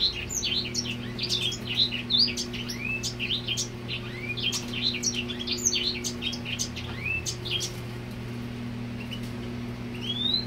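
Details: Male grey singer singing to a female: a rapid, continuous twittering of high chirps, upslurred whistles and sharp clicks, with a steady low electrical hum underneath throughout.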